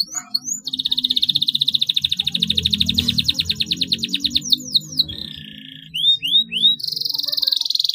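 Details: Long-singing canary, recorded as a prompt for silent canaries: rising sweeps open into a steady rapid trill lasting about four seconds, followed by a buzzy phrase, three upslurred notes and a closing buzz.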